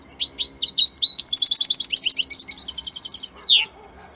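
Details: European goldfinch of the Italian type singing one of its strongest songs: a rapid, high liquid twitter of buzzy trills and tinkling notes that ends in a sharp downward slur, followed by near silence.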